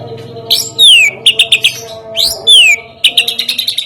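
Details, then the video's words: White-rumped shama song serving as a lure to set other birds singing: sweeping whistles that drop in pitch, alternating with quick clipped chirp series speeding up toward the end. "sekali dengar murai,trotoll,pastol ikutan bunyi,cocok untuk pancingan murai batu yg kurang efektif"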